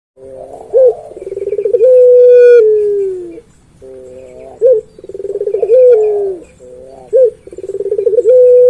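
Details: Puter pelung collared dove calling persistently: three cooing phrases, each a short clipped note, a rolling pulsed trill, then a long drawn-out low coo sliding gently downward, with pauses between phrases.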